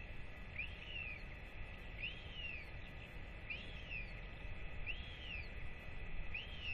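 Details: Royal albatross chick, fed by both parents after a weight check, 8.10.24; five rising-then-falling whistled calls about every one and a quarter seconds, over low rumbling background noise.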